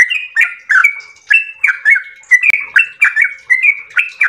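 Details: Bubbly rolling 'ropel' song of a trucukan or yellow-vented bulbul, quick liquid chirps linked by brief level whistles, a steady stream of roughly three notes per second, one sharp click midway.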